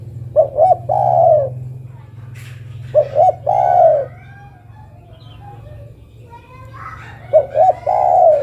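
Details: Female zebra dove calling the male, giving three phrases of two short coos plus a long coo, roughly every three seconds, with faint other bird chirps between them.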